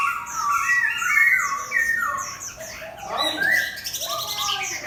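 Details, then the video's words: Competition hwamei in a cage, set beside a fighting bird and spreading its feathers, pours out rich, rapid whistled phrases, bright slurred notes tumbling up and down, ending in a dense high trill. "Hoạ mi 498: Xoè không khép (ốp đấu chim chiến)"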